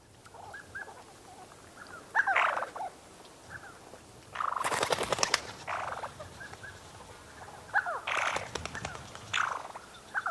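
Black-bellied sandgrouse giving throaty, bubbling calls in short bursts, mixed with calls of spotted sandgrouse and two loud rushes of whirring wingbeats.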